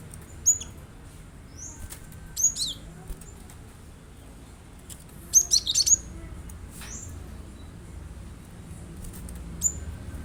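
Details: Cinereous tit, recorded as lure song for a kept bird: scattered bursts of high, piercing whistled notes, first single then a rapid tight cluster of several chirps midway, separated by quiet stretches of low hum.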